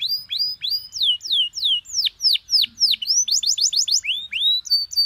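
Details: Canary song recorded as a teaching master with easy-to-copy phrasing; a rhythmic series of loud down-slurred whistles about four per second, then a short rapid trill and rising notes.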